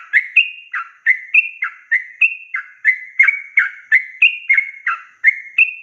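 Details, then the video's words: Yellow-vented bulbul, a tutor recording for young birds, pouring out a long rapid series of liquid, warbling whistled notes, about three phrases per second, with no pauses. "Trucukan gacor ROPEL PANJANG ini BIKIN burung trucuk BAHAN, BAKALAN, MUDA GACOR"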